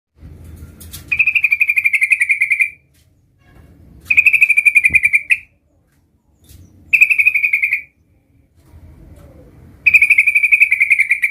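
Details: Sooty-headed bulbul, a young bird learning its rolling 'ngerol' song, delivers four bright, rapidly pulsed trills, each about one and a half seconds long, repeated roughly every three seconds over a faint low rumble.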